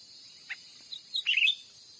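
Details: Grey-bellied bulbul recorded as a lure call for trapping wild birds in Sumatran forest: a faint upward note, then a quick cluster of bright whistled chirps near the end, over a steady high hiss.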